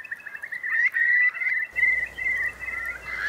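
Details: ['A dense roost of about 3,000 Eurasian curlews in Bay of Somme wet meadows, France, during a strong high tide, 7 October 2021. A continuous wavering, bubbling chorus from many birds shifts in loudness throughout.']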